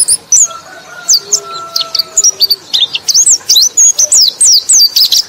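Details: White-eye song meant to attract other white-eyes, from Indonesia: fast high twittering trills and squeaky looping notes in dense bursts, with a few longer low whistled tones in the background early on.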